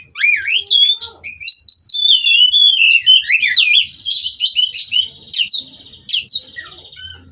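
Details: White-rumped shama, captive-bred in Cirebon, delivering an unbroken rolling song of looping whistled notes, buzzy trills and short staccato accents.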